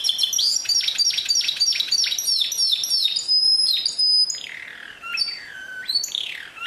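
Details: Canary in pure song, 2016: fast high trills and sustained thin whistles, then broad descending swoops, loud and unbroken throughout.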